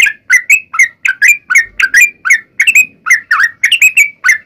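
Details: Sooty-headed bulbul singing a vigorous long-running fighting song meant to provoke other bulbuls into replying. Bright slurred chirps, some doubled, come in a brisk uneven series of roughly three notes a second.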